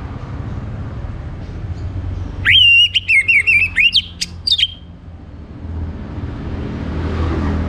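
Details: Orange-headed thrush, a caged songbird from North Bali, singing in the morning: a burst of loud, clear whistled phrases wavering around a high pitch, ending with sharp notes, over a low background hum.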